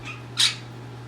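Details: A pet Quaker parrot (monk parakeet), on a cage-cleaning day and staying close to its owner, gives one short, harsh, rasping squawk, high and noisy, over a steady low hum.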